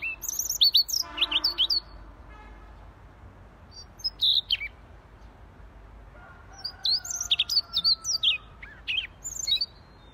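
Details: Siberian rubythroat in vigorous song: an opening rush of high, sharp notes over a brief harsher buzz, scattered chirps, then a faint, level, falling whistle before a final burst of rapid, varied squeaky notes.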